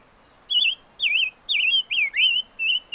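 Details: Chim ngũ sắc in full song. About six or seven bright, looping whistles come roughly every half second, each twisting up and down, against a steady faint hiss.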